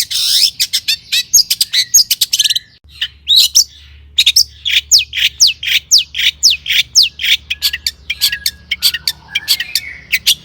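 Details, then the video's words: Lively long-tailed shrike song with mimicked fill-in phrases, played to rouse other shrikes to sing: a harsh rasping opening, then a steady run of quick downslurred high whistles about four per second, ending in softer warbles. "suara cendet gacor PALING DI MINATI,, PANCINGAN CENDET AGAR BUNYI"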